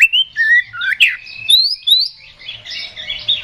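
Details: Oriental magpie-robin song used to provoke a rival into fighting: varied whistled phrases, some falling and some rising, followed by rapid scratchy chatter, about two notes each second.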